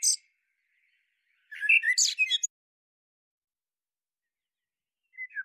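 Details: Common blackbird (Turdus merula): a single short phrase of low fluted whistles followed by a burst of high, scratchy twittering, with fragments at the start and end and silence between.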